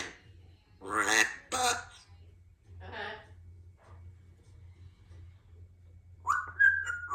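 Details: A 2-year-old female Congo African Grey parrot, a talkative pet indoors whose favourite phrases are "Give me a kiss" and "I love you", makes a few speech-like, word-shaped utterances, then a clear falling whistle, over a low steady hum.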